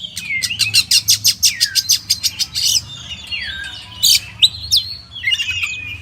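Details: Kacer, or oriental magpie-robin, singing as a master song for champion birds: a fast run of about a dozen rhythmic chipping notes, then sweeping whistled slurs and scattered sharp notes.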